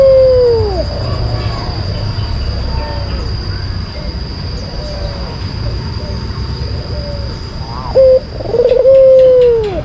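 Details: White collared dove lure song: a descending coo tail opens the recording, then a long quieter stretch. Near the end comes a sharp short note and a full rolling trilled coo. A steady high hum continues underneath.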